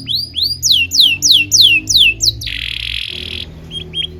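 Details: Canary song for teaching young canaries: a series of high descending whistled slurs about three per second, then a harsh buzzy roll, and two short high notes; faint background hum.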